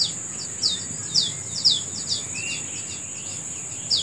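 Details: Birds singing in the morning: bright, high, down-slurred chirps repeated about twice a second, with a steady high-pitched insect-like drone throughout.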